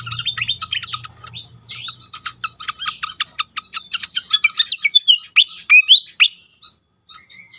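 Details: Lure song of a pied fantail for prompting other fantails, with fast dense chattering notes building into loud sweeping whistled squeaks, then falling quiet near the end, with a low hum during the first seconds.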